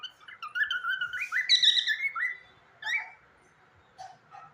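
A cockatiel sings a warbling run of clear whistles that slide up and down, followed by a few short chirps and a pause between phrases.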